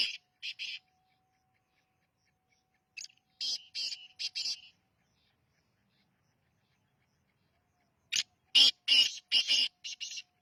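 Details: Young black francolin of the Sindhi type calling: three bursts of harsh, grating notes separated by silence, the first of two notes, the last a rapid series of about six.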